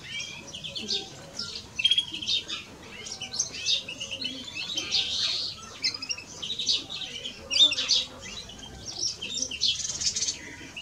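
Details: Male and female greenfinches keep up a long run of chattering, twittering song mixed with wheezy buzzes and sharp whistled pips that rise and fall in loudness throughout.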